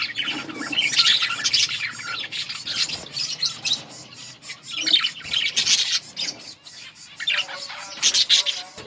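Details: Colony of breeding budgerigars chattering together, a continuous jumble of high chirps and scratchy warbles rising and falling in loudness.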